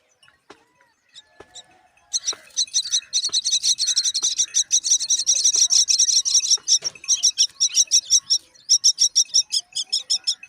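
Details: A Common (Indian) Myna chick waits while a parent feeds its sibling, giving loud, harsh, rapid begging calls, a steady stream of raspy high notes about three per second, after a quiet start with faint clicks.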